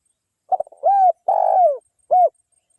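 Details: Lure call of a vocal local wild spotted dove: a quick stammered introductory note, then a drawn-out soft coo, a longer falling coo and a final short clipped coo, all low and mellow, with a clean background.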